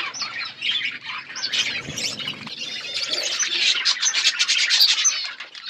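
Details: Wild parrots calling outdoors: a dense, unbroken chatter of shrill, high chirps and short squawks from many birds overlapping, rising and falling in loudness with no clear pauses.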